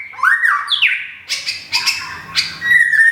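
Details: White-rumped shama, a caged bird in Thung Song, Thailand, recovering from a moult. A swooping whistle rises and falls, followed by three sharp clicking bursts and a final steady whistled note.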